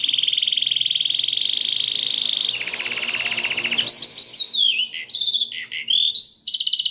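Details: White domestic canary singing a training song: a long sustained rolling trill, a lower stuttering rattle, then varied rising and falling whistled phrases and quick chirps, clean with no other sounds.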